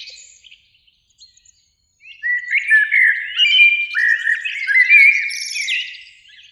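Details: In a spring beech tree beside an evening lake, two Eurasian blackbirds sing; faint high chips give way to a loud run of warbled, fluty whistles capped by a shrill twittering end.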